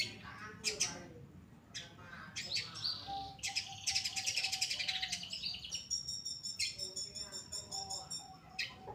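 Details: Pastol long-tailed shrike, a caged bird in full song for a training recording, giving high, thin chirps and scratchy trills in quick bursts, then a steady run of rapid ticking notes.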